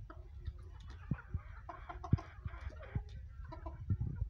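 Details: Hens and roosters busy feeding, giving short, scratchy clucks in loose clusters while dull pecking knocks sound throughout, close and irregular.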